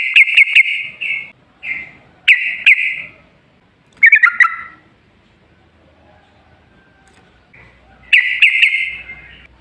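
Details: Yellow-vented bulbul song used as a lure so that other bulbuls sing: brief bursts of bubbly notes with buzzy tails, separated by quiet gaps of one to three seconds.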